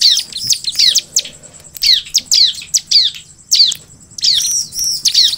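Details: Bar-winged prinia (ciblek) in lively 'gacor' song used to provoke a response from other ciblek: loud, sharp, downward-slurring high notes in irregular bursts separated by short silences.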